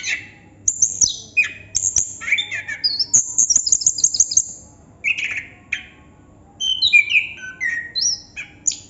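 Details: Chestnut-capped thrush song with varied whistled phrases, a fast run of repeated high piping notes, short pauses, then more sliding whistles; faint low hum in the background.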